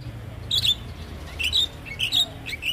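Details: Javan myna song meant to lure other mynas into responding: short whistled notes near the top of the range in spaced pairs about every half second to second, with a faint low hum beneath.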